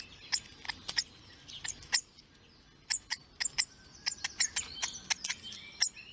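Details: Hawfinch chick begging to be fed, filmed on a nest livestream: sharp, very high, clicking 'tzik' notes in irregular bursts, sometimes doubled, about one per second, over faint background hiss.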